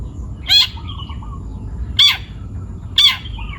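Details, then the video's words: Young forest-caught long-tailed shrike gives three loud, harsh, rasping notes about a second apart, each followed by a faint short whistle. "CENDET PASTOL MUDA HUTAN (MH) GACOR BUNYI"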